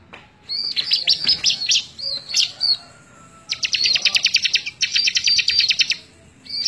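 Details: Energetic bar-winged prinia song, May 2017, meant for tutoring other birds: wavering high whistles, then long runs of rapid, dry ticking notes about three per second, each run ending abruptly.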